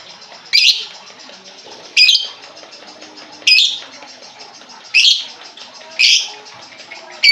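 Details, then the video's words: Lovebird calls serving as a lure for a lovebird that has gone quiet: loud, harsh, high squawking chirps, five of them spaced roughly one to one and a half seconds apart. "pancingan burung lovebird macet bunyi"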